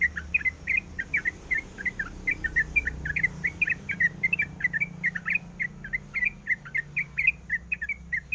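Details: Sooty-headed bulbul female in breeding mood calling her mate: a long, even stream of short, liquid chirped notes, about three per second, over a faint low hum.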